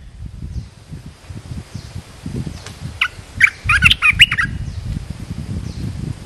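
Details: Red-whiskered bulbul used as a decoy to draw in a wild bird sings a brief dense burst of clear warbling chirps midway, set against steady low rumbling and thumping background noise.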